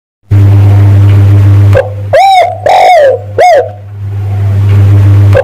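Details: Spotted dove lure call used to draw in males: three loud, hoarse coos in quick succession, the middle one longer and falling, over a steady low electrical hum.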